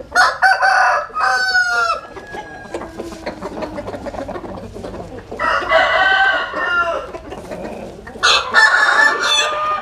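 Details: Rooster crowing several times in the sun. Bursts of short, stuttering notes lead into long, wavering, harmonic crows, with quieter clucks and chatter filling the gaps.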